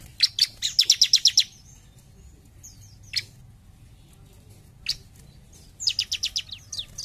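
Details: Energetic jump shoot song of a bar-winged prinia: a rapid string of bright, high, evenly spaced chips at the start, a few isolated sharp notes in the middle, and a second quick burst near the end.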